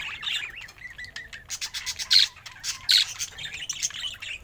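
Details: A happy-looking pet budgerigar opens with soft, rising and falling whistled notes, then gives bright clicking chirps and short raspy warbled bursts.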